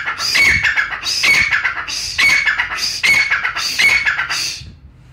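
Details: Brown francolin from Pakistan, recorded for hunters, giving four loud grating phrases about a second apart. Each phrase is a raspy burst ending in a high, thin note, and the last one fades away.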